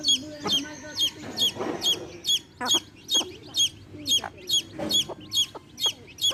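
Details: Baby chicks with a hen, chirping in bright, high, downward-slurred peeps repeated about twice a second in a steady series, with soft clucks and low rustling underneath.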